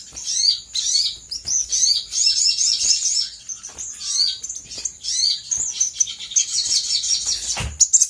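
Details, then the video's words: Sooty-headed bulbul giving a lure song to make other birds respond quickly: a long, fast stream of high chirps and trills that breaks into clusters, with a soft thump near the end. "PANCINGAN SOGOK ONTONG GACOR KONSLET"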